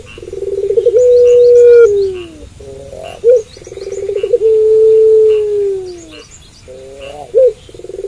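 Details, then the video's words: A puter pelung dove coos at night: a buzzy rolling start opens into a long sustained coo that sags lower at the end, repeated twice with brief sharp notes in the gaps. "Puter Pelung Gacor Manggung Malam Hari"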